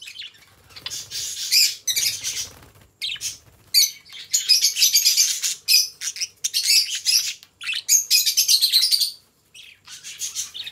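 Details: A pair of companion budgies chatter in long, buzzy warbled runs. The bright chirping comes in close, overlapping phrases with a short break near the middle.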